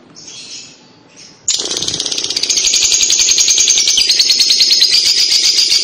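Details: Lovebird 'kekek' chatter used to coax young lovebirds into song. Two soft squeaks lead into a loud, fast, machine-like rattling chatter that keeps going steadily for over four seconds.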